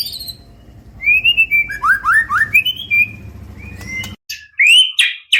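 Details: Murai batu, the white-rumped shama, singing as a lure for training: a series of clear rising whistles over low background hum, then after a short break sharp, loud whistled and chattering notes.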